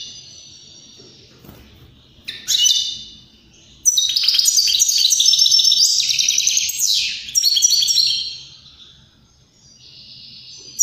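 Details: Song of a European greenfinch to spur other birds to sing and mate. A faint start gives way to loud, rapid chattering trills and wheezy, drawn-out notes, ending in a softer buzz.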